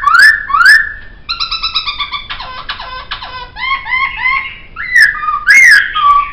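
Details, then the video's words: Varied Poksay song for training songbirds: two upslurred whistles, then steady buzzy harmonic notes, a rapid rattling stutter, short whistled phrases and a final loud slurred whistle, sung indoors. "Masteran Suara Poksay"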